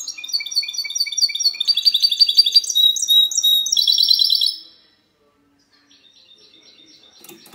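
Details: Goldfinch mule in clean song on 19 March 2020: rapid, high tinkling notes repeated in series, shifting into rolling trills for over four seconds before stopping abruptly into quiet.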